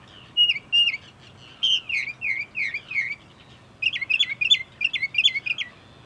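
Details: One northern mockingbird singing from bushes beside a parking lot at Cape May Point, New Jersey, USA: a slurred phrase repeated twice, then a run of repeated downslurred notes, then a fast series of sharp, chattering phrases.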